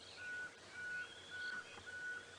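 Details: A tiny Pearl-spotted Owlet calling from a drainage line near a giraffe in the Sabi Sands on a wet sunrise morning, 25 October 2016, gives four long, level whistles about every half second over a steady background hiss of bush.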